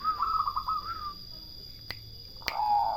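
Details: Turtle dove song: a low, purring, rippling phrase for about a second, then a brief click and a second shorter purr near the end, over a steady high electrical hum.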